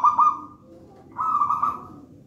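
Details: Singing zebra dove from a raja banana nest line, local wild-type bird. A short rolling coo, a pause, then a longer trembling trilled phrase.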